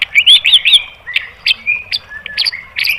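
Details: White-rumped shama singing a varied phrase meant to spur other birds into song: rich looping whistles, then sharp clipped notes and short slurred whistles with brief pauses.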